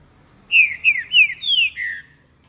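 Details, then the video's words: A green-winged saltator sings a short phrase of five clear, slurred whistles, mostly falling, delivered quickly over about one and a half seconds, with a faint low hum behind. "CANTO eu sou terrível"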